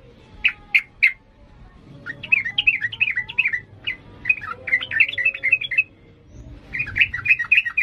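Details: Yellow-vented bulbul in emotional ngalas song: sharp separate notes, then tumbling, warbled phrases of quick up-and-down chirps in loose runs, with faint low background hum.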